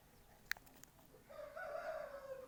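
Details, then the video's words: A black (Sindhi) francolin gives a harsh, grating call lasting about a second, low and strained with a rasping edge, following a sharp click near the start. "کالا تیتر جگڑ رہا ہے/Black francolin voice/black Sindhi francolin sound"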